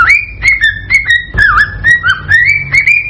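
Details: Whistled song of an excited male cockatiel used to stimulate a female to breed: clear, slightly rising whistles about twice a second, with one wavering dip midway through.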